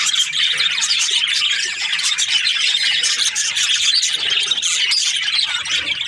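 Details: High, overlapping chirps and warbles from budgerigar breeding pairs, a steady chattering chorus with scattered squeaky squawks.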